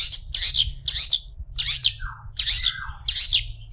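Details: Long-tailed shrike tutor song: loud harsh scratchy bursts repeated roughly every half second, interspersed with two lower descending whistled slurs, harsh and grating in tone, faint hum underneath.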